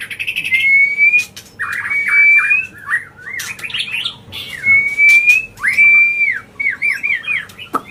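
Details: Agitated white-rumped shama singing non-stop as a provoking lure for other birds: long clear rising whistles near the top of each phrase alternate with quick twisting, warbled notes in a dense, unbroken stream.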